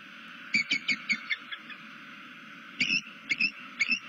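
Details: Bald eagle in Southwest Florida, seen on a nest camera, stretching its tail and looking around while vocalising, perhaps to another eagle: a quick series of six high, thin, chippy notes, a pause, then four more sharp piping notes over steady background hum.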